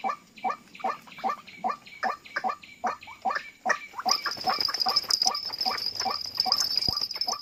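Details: White-breasted waterhen drawn in by playback during trapping: steady repeated rising, croaking notes, later overlaid by a high steady whine and rustling noise that partly mask the calling.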